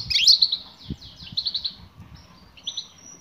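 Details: Female European goldfinch calling for a male: a loud burst of high, buzzy twittering, then a row of quick bright chirps and two softer notes at the close.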